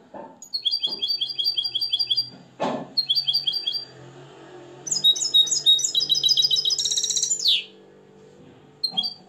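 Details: Nest-reared European goldfinch from Morocco, schooled in limpio singing, alternates fast ticking note series with a tinkling, buzzy trill ending in a descending slur; a clap-like knock and faint low hum sound in the background.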